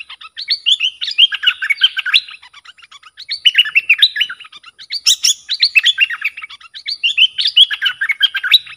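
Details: Agitated bulbul, described as worked up and driving off wild rivals, delivers a steady stream of rapid liquid whistled notes in chattering bursts, with short gaps between phrases.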